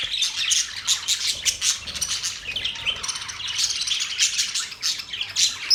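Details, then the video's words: A group of budgies chirping in quick, uneven clusters of thin high tweets and scratchy squawks, with a sharper whistled note at the very end. "Beautiful parrot sound | budgies relaxing sound"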